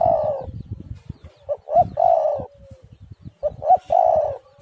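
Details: Spotted dove calling, played as a lure to get other doves calling: low hollow coos, each phrase a couple of short rising notes then a longer rolling coo, repeated roughly every two seconds, with soft low thumps underneath.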